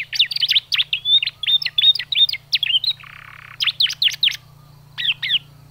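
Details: Chirping canary, played to encourage young canaries to sing: a lively series of quick high chirps and short whistles, a brief pause with a soft hiss, then further clusters of sharp chirps over a constant low hum.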